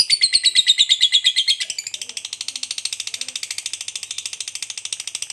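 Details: Lovebird fighter delivering its ngekek, the drawn-out trill kept to provoke other lovebirds; it opens with a clear falling whistle, then shifts into a steady rapid chatter of high pulses that fades slightly.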